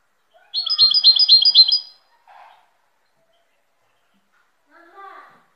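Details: European goldfinch song: a bright, high trill of about seven quick, evenly repeated notes lasting under two seconds, then quiet gaps broken by a few faint, lower, scattered notes.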